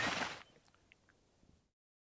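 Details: A tricolored heron gives one loud, harsh, rasping squawk lasting under half a second, in Everglades National Park, Florida, USA, with faint brief chips from moorhens and other birds in the background.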